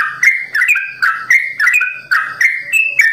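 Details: Sooty-headed bulbul singing a 'ropel' song variation in 'simbar jati' style: short rich whistled phrases about twice a second, each dropping then lifting in pitch.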